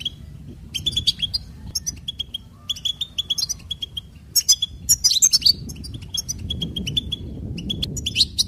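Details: Continuous goldfinch song of rapid, tinkling twitters and ringing trills, phrases of quick high notes broken by brief pauses, with a low background rumble that swells toward the end.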